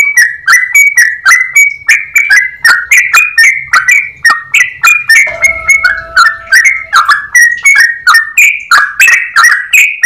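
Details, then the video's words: A yellow-vented bulbul sings an extended rapid 'ropel' phrase in clear tones, dozens of short bright notes in a steady stream, briefly overlaid midway by a sustained low humming tone. "Trucukan gacor ropel panjang suara jernih"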